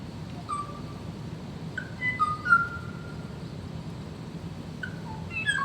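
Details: Kauai ʻōʻō, the last surviving bird of its species, recorded in the 1970s in the Alakai Swamp: a male answering playback as if he had found a female, since the species duets. He sings pure, flute-like whistles, some sliding and some held, in short phrases broken by pauses, over a low hum.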